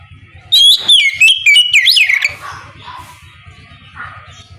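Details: In the morning an oriental magpie-robin gives ngeplong song, a lure to draw replies from other magpie-robins: one strong run of clear, swooping whistled notes, followed by soft chirps over a low hum.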